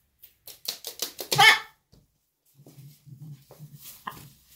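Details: A pet macaw, born 5 May 2015, that the owner says can scream very loudly, lets out a run of harsh, rasping screeches building to one loud shriek, apparently angry, followed by a woman speaking softly.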